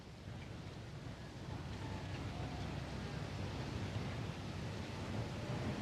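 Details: Steady rushing wind or surf-like noise with low rumble throughout; no animal voice stands out.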